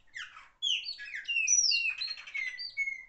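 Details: Loud singer known in Brazil as pássaro preto, giving a dense three-second phrase of ringing whistles, swooping slurs and a rasping buzzy patch, with the notes tumbling one after another.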